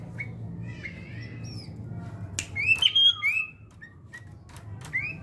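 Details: During fight-mentality training, a sooty-headed bulbul sings bright whistled slurs that build to a loud bubbly phrase midway, then fades to sparse short notes amid clicks.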